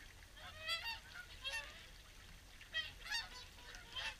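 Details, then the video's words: Flock of swans at WWT Caerlaverock at evening feeding time, short clusters of loud honking calls with gaps of softer background calling between them. "Evening Swan Feed"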